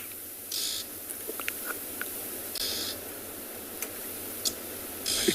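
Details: Red-billed oxpeckers (Buphagus erythrorynchus) perched on a giraffe's back give harsh, hissing rasps in three bursts about two and a half seconds apart, with faint sharp ticks, on a winter morning safari in a South African game reserve, 9 June 2021.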